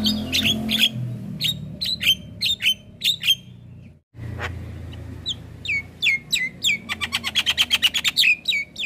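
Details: Recorded for training young black-winged starlings: sharp whistled chirps in irregular groups, a brief dropout, then a fast run of rising and falling whistles and clicks, with steady low background rumble.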